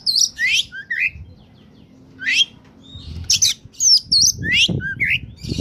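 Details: Oriental magpie-robin on top form, sung as a lure for wild birds: scattered harsh sweeping notes and bright whistles, with low knocking sounds in the background toward the end.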